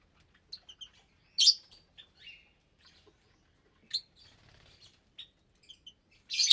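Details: Caged lovebirds feeding in January 2023, some breeding and raising chicks, about 25 birds in all. Isolated piercing chirps and brief shrieks sound over near silence, with a soft rustle in the middle and a loud screech at the close.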